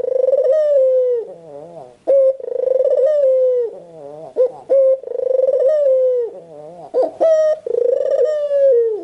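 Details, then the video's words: White Barbary dove, a caged bird, cooing continuously: long purring coos sliding slowly downward, separated by wavering bent notes and sharp bright bleats, repeated several times. "SUARA BURUNG PUTER PUTIH"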